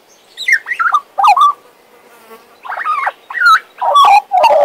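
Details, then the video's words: Pet Western Australian magpie singing a jumble of short warbled notes, quick downward slurs and chattering bursts, with a brief quiet gap midway. "My Western Australian Magpie Warbling, Whistling and Singing!"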